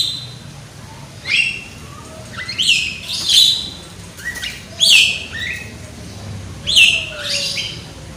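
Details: Young, loud-voiced Javan myna (jalak kebo) serving as a lure to make mynas sing: spaced harsh chirps and squeaky downslurred whistles roughly every second or two, with faint lower whistles.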